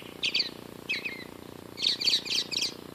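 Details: Singing bird on Western Ave, Glendale, California, at 84.9°F, giving high, bright chirps in quick clusters: a pair of notes, a brief pause, then a tight series of four sharp tweets.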